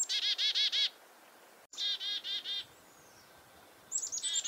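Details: A chickadee on a farm in February 2021 gives alarm calls at a nearby goshawk: harsh, buzzy dee notes in fast runs of four or five, repeated in bursts with short pauses between.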